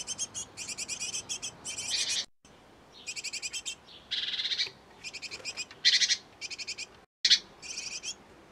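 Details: A great tit pair nesting in a nest box, busy feeding and tending young, gives bursts of high, buzzy, rapidly repeated chirps in short clusters separated by brief silent breaks.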